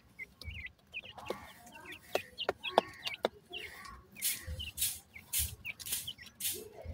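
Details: A brood of francolin chicks, named dakhni teetar, peeping: thin high slurred notes in irregular bursts, mixed with sharp clicks and hissy rustling noise.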